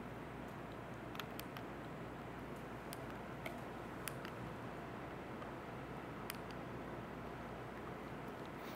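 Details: Steady low room noise with scattered faint clicks and ticks, and no animal voice.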